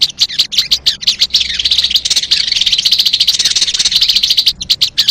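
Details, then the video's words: Sogon song used to lure sogon birds: quick high ticking notes lead into a sustained, rapid, shimmering chatter, ending again in separate sharp ticks. "MP3 suara burung sogon"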